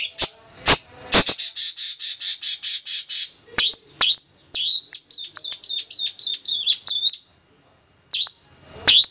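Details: Long-tailed shrike, 'tembakan kristal' style master song for training birds: two sharp clicks, then a rapid run of evenly repeated high notes, followed by scratchy, buzzy chattering phrases and a few sharp upswept calls.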